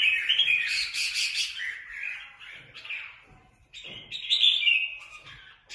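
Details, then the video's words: Red-whiskered bulbuls, kept free-ranging, clash in Quang Nam, Vietnam: harsh squawky bursts with wing flutter at first, a pause, then loud slurred whistled phrases resume. "Đại chiến chào mào nuôi thả"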